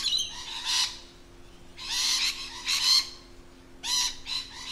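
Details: Lorikeets in their natural habitat: three bursts of harsh, grating screeches, each lasting about a second, separated by short pauses, over a faint steady low hum.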